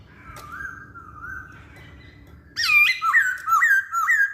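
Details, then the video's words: Masked laughingthrush in full song, used to lure other birds: faint, wavering whistles at first, then a loud burst of strong whistled notes that drop and rise, repeated in quick succession, over a low background hum. "Burung Poksay Hongkong Gacor"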